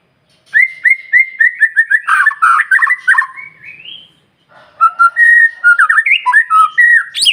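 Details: Morning lure song of a white-rumped shama, played to make other birds answer: a series of clear, evenly spaced whistles, a rising slide, a short pause, then varied warbled and slurred phrases.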